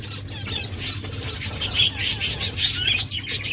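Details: Several finches kept in an aviary twitter rapidly, giving bright, high chirps in quick succession that grow louder toward the end, with rustling bursts that may be wingbeats and a faint low hum underneath.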